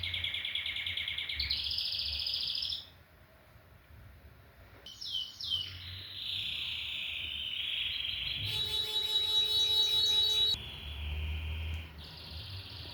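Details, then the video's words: Canary singing a series of sustained high rolling trills, each held a second or more at a steady pitch before switching to a new one. A quiet pause comes near the start and a brief lower buzzy stretch appears in the middle. Faint low hum underneath. "O IMPORTANTE É QUE O CANÁRIO CANTE. The important thing is that the canary sings."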